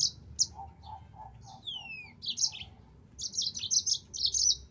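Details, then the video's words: Yellow-fronted canary tutor recording: bright high chirps and a long falling whistle, a row of soft low pulsed notes, then rapid buzzy high trilled phrases near the end. "MASTERAN BURUNG MOZAMBIK"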